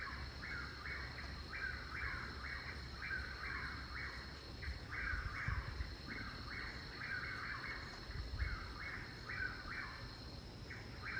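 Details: Chuck-will's-widow repeats its whistled, rolling chuck-will's-widow phrase about once a second, a typical sound of evenings and mornings at this garden; a steady high insect drone and low rumbling background noise run underneath.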